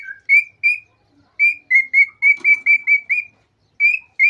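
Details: Agitated male cockatiel whistling to prompt mating, a fast chain of clear, even-pitched notes about five per second, opening with a lower slurred whistle, plus faint soft chatter in the background.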